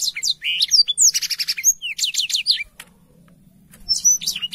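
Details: Black-throated canary in clear, active voice for tutoring canaries: rapid high chirps with a fast repeated trill, a pause of about a second, then fresh high whistled notes.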